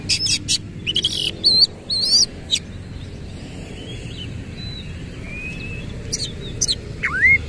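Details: Kacer, the Oriental magpie-robin, singing energetically with its tail spread, in 'nembak ngerol' style: a quick burst of sharp chips and bent whistles at the start, then softer thin drawn-out notes and a final falling whistle.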